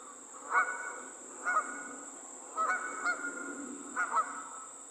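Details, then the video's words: Flying geese give scattered nasal honks, about six notes in five seconds, some in quick pairs, against a constant thin high-pitched hum and quiet background. "Geese On The Wing"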